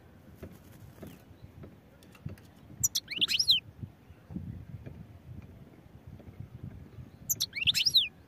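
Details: Two short outbursts of high, liquid twittering from a European goldfinch, about four seconds apart, each a cluster of quick slurred notes. Low background rumble and faint clicks between them.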